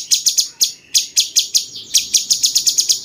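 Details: Cucak cungkok bulbul with 'rasa jenggot' type song, a master bird for champion birds, giving a quick string of sharp, high, clicking chips that speed up toward the end.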